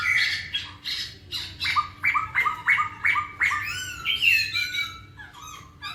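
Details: Masked laughingthrush song for rousing lazy birds: a rapid string of about a dozen repeated squawky notes, roughly three per second, then higher wavering whistles and a falling slur.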